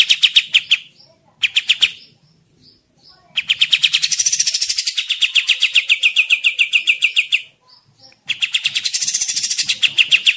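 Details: Lively kapas tembak song, meant as a lure in the forest or as a master song for other birds: bursts of fast, sharp, high chattering notes broken by short pauses, with one long rattling run in the middle.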